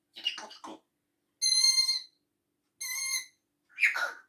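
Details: Pet talking grey parrot imitating human sounds: a few quick speech-like syllables, then two clear, steady, high whistled tones with rich overtones, ending in a short raspy laugh-like burst.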